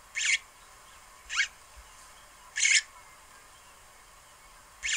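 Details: A Red-headed weaver building a nest gives four short, harsh, high-pitched buzzy calls at uneven gaps over a quiet, faintly hissing background.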